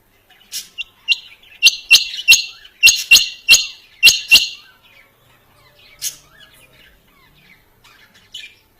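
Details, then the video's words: A quail calls with a rapid series of loud, grating, high notes, often doubled, roughly ten in under four seconds, then scattered softer notes and quiet. "Dhoghla Batair Ki Awaz | Harlequin Quail Calling | King Quail Calling | Female Rain Quail Calling"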